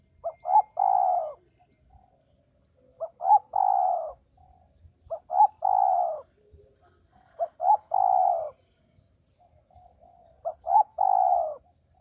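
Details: Male spotted dove training call repeated five times. Each phrase has two short clipped notes followed by a longer low coo, spaced about two to three seconds apart, with a thin constant high-pitched tone behind.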